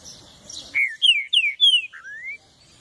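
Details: Green-winged saltator singing a brisk phrase of loud, clear, downslurred whistles ending in a long rising whistle.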